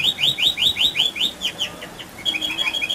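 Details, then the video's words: Canary singing a rolling song used to provoke other canaries: loud rising whistled notes about four per second, fading, then a quick high trill of short notes. "Pancingan Kenari Gacor Dor Ngeroll"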